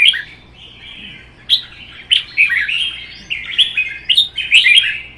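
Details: Contest song from caged red-whiskered bulbuls, one wild-caught: a soft opening warble, then a string of punchy, bubbly phrases that grow louder and denser toward the end, with clicking accents.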